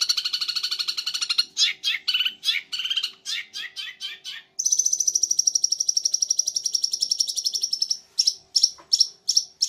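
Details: Champion long-tailed shrike from Madura, its tail feathers still incomplete, singing: rapid harsh chattering and varied squeaky notes, then a long, high, even trill, ending in short sharp repeated phrases.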